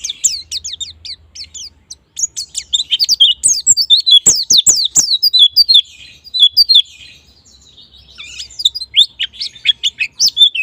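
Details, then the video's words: White-eye lure song for coaxing birds into ngalas and nembak singing: long, continuous high chattering of quick falling and rising notes, with varied loudness and short gaps between bursts, and faint low hum in the background. "Pancingan Pleci Bahan Agar Cepat Bunyi Ngalas Dan Nembak"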